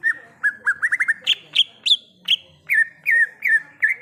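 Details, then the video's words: Greater green leafbird singing wild: a varied, energetic phrase of sharp whistled notes, quick trills, then louder higher-pitched notes and a closing run of evenly spaced downslurred whistles. "Suara Asli Cucak Ijo | Suara Alam Cucak Ijo"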